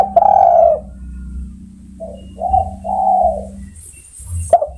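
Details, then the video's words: Spotted dove calling to other birds: a long, low, slightly falling coo followed by a pause and then shorter hoarse coos in a broken series, with a steady low hum underneath. "Sudah Teruji Tekukur Memanggil Kawan"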